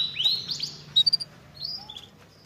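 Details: Canary song meant to spur a reluctant canary into singing: short high whistled sweeps and a few quick chirps, then sparse thin notes fading out over a faint low hum.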